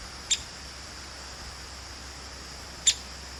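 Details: Female downy woodpecker, fearless and talkative, calling close by: two sharp, high, very short pik notes about two and a half seconds apart over a steady faint hum.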